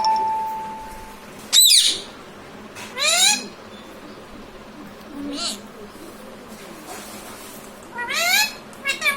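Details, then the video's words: Pet parrot talking, saying "mummy papa": short swooping speech-like calls spaced a few seconds apart over steady background hiss, with a brief steady tone at the start. "talking parrot mummy papa"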